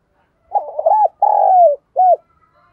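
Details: A single phrase from a decoy spotted dove in 'thổ' voice, calling fast to excite other doves: a wavering opening coo, a long slightly falling note, a pause, then one short rounded final coo.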